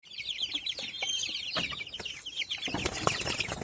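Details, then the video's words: Village chicken chicks giving a dense, continuous chorus of high, short, falling peeps from many birds at once, with scattered clicks and wing flutters, louder rustling near the end. "ANAK AYAM KAMPUNG"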